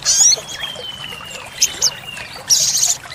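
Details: Sogok ontong, the olive-backed sunbird, in a lure and master recording for cage birds: brief high-pitched buzzy bursts at the start and end with scattered chips between, a faint long falling whistle, and a background of trickling water.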